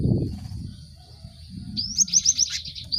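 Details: Cinereous tit lure song to get group-caged birds singing: after a quiet stretch, a rapid chattering series of short high notes about four per second, ending in a rising whistle, over a steady high tone and low murmur.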